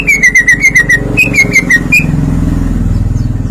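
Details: Greater green leafbird in open song, unloading learned material: a rapid run of bright whistled notes for two seconds, then drowned out by a motorcycle's engine noise.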